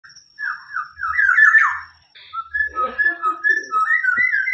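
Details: Tame, vigorously singing local black-naped oriole, apparently kept as a cage bird, imitating a police car siren. Clear whistled phrases of slurred, wavering notes rise and fall, with a brief pause and faint low knocks and background noise.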